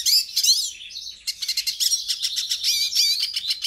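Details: Hooded siskin song from Brazil, played to warm up a captive siskin: fast, high, sweet twittering with rising and falling whistled slurs, then a dense run of quick chattering notes.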